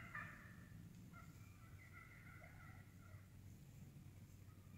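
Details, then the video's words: Feeding wild turkeys in woodland: one sharp cluck opens, followed by soft, drawn-out purring notes and a few quieter clucks against a low, constant rumble. "Real Wild Turkey cutting, purring, clucking in the woods"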